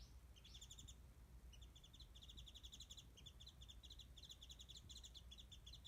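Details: A warbling white-eye calling from high in a tree above a feeding spot where it gets mandarins, fairly distant: fast, high twittering chatter of bright notes in quick bursts over a low rumble.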